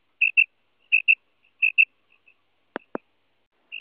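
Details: A female common quail, recorded as a hunting lure, gives high, clipped double notes, three pairs in quick succession, then a few fainter notes, two sharp clicks and a final note.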